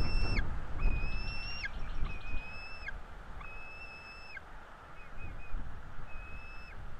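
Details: Bald eagle nestlings, two chicks, calling while being fed at a Florida nest on 5 April 2022: drawn-out, thin whistles with a sharp drop at the end, coming in a series above strong, low rumbling noise.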